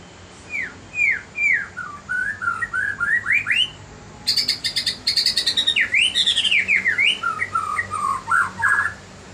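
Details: White-rumped shama singing in the morning: a flowing run of clear whistled notes that slur up and down, broken midway by a quick burst of rapid, higher chattering notes, then more looping whistles.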